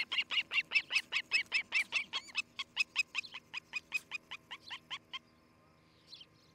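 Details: Osprey of a nest-building pair at Charlo, Montana; loud ringing whistled chirps repeated rapidly, starting strong and gradually fading over five seconds before stopping.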